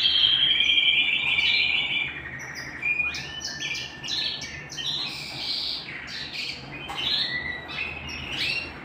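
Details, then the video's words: Canary singing at home: varied high chirps and short warbled phrases, with a sustained trill near the start, then loose bursts of notes with brief pauses between them. "canary singing at home"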